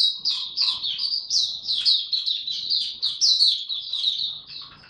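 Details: Oriental white-eye (mata puteh) in form-building, 'tiong aw' song on 3 January 2022: rapid chain of high, sharply downslurred chirps blending into an unbroken sweet twitter.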